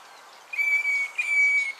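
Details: A northern fiscal (Lanius humeralis) at Naro Moru River Lodge, Kenya, gives two clear, level whistled notes, each about half a second long, with a short break between them and a faint hiss behind.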